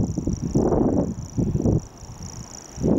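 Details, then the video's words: Two male Common grasshopper warblers duel in the dunes of the Belgian coast on 23 April 2018, reeling with a high, unbroken, insect-like trill held throughout, nearly nonstop for about two hours apart from brief noisy fights. Loud low thuds and rumbling handling noise come in bursts. "Duel de Locustelles tachetées"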